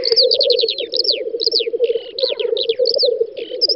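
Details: Black grouse males lekking on a spring field in western Russia's Volga federal district, 9-10 May 2019: a steady low bubbling chorus runs throughout, overlaid with rapid high descending whistled notes in quick series.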